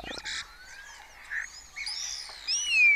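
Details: Starlings of a colony in the open grassland of Cabañeros National Park, Spain, early morning, competing with imitations of other birds' songs; thin rising and falling whistles, buzzy bursts and a bright downward-sliding whistle at the end.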